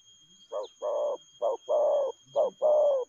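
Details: Spotted dove cooing in a fast "lèo gù" style, three quick pairs of a short note and a fuller, longer coo, evenly spaced about a second apart.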